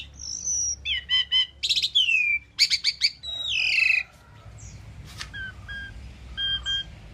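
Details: Asian pied starling singing: a high whistle, buzzy rattling notes and a long descending slurred whistle, followed by a sharp click and a few soft paired chirps.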